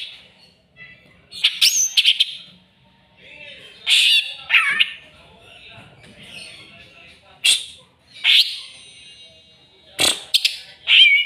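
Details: Greater green leafbird, agitated by a rival, pours out a varied run of sharp chips, squawks and short whistled slurs. The phrases come in uneven bursts over several seconds.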